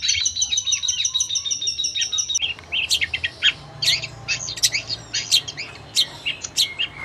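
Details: A long-tailed shrike recording meant to train birds opens with a rapid high trilling run, then breaks abruptly into separate sharp, clicking chirps and short whistles, spaced unevenly.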